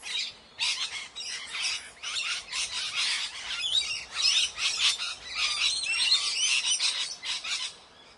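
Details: Rapid series of shrill, scratchy squawks from a ringneck parrot, several per second in uneven bursts, fading briefly at the start and end.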